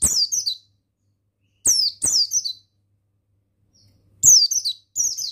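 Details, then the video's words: Mountain white-eye (buxtoni) male song used as training audio for other caged birds. Brief, high-pitched, sliding twitters in paired bursts with a click at the start of each, broken by long quiet gaps. "Begini Suara Pemasteran yang Untuk Pleci Bustomi Bahan Bikin Burung Pleci Bustomi Gacor Ngalas"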